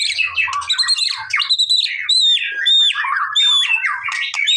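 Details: Energetic male white-rumped shama singing to provoke a response: bright, piercing whistles broken by rough chattering bursts in quick succession, with a faint low hum at the start.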